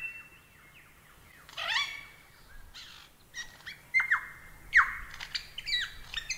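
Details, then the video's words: A lyrebird sings a varied medley of clear whistles, falling sweeps and harsh bursts, changing at an irregular pace about once a second. "Masteran Burung Lyrebird SUARA EPIC!"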